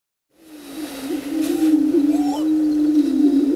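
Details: Greater prairie chickens on the booming ground before daylight, dancing and booming in display: a continuous low hollow hum rising from silence and holding steady, with overlapping booms and a few higher calls in the background.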